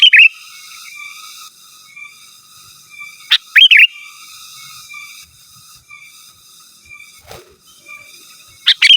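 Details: Sooty-headed bulbul singing to call rivals, delivering brief, loud, liquid phrases spaced several seconds apart, with steady faint high whistling in the background between them.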